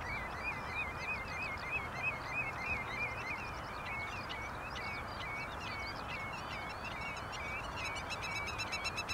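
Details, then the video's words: Black-tailed godwit (Limosa limosa) at Bergerden, Gelderland, Netherlands, on 24 March 2011: a fast run of wavering, nasal mid-pitched notes, about three per second. Higher chirps from other birds and a steady background hiss. "Vogelgeluid / Birdsounds Grutto - Limosa limosa"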